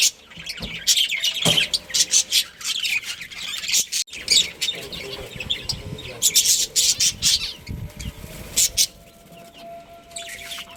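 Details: Budgerigar colony chattering: rapid harsh squawks and scratchy chirps in dense clusters, with brief pauses and a human voice in the background.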